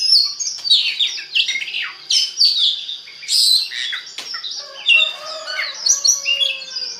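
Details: Lure song of an Oriental magpie-robin to make other magpie-robins sing: varied whistles, slurred downward notes and chattering phrases, with a harsher, lower-toned passage in the second half.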